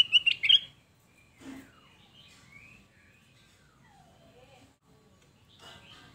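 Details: Kutilang emas, the sooty-headed bulbul, in a lure recording meant to make others reply: a bright warbled phrase of a few rapid notes opens, followed by soft scattered chirps and a short descending call.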